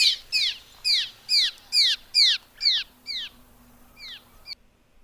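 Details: Cliff Swallow at Big Bear Lake, Happy Hills Trail, around 5 pm on 11 August 2021, giving about ten soft, squeaky, down-slurred notes, roughly two per second, fading; faint hum.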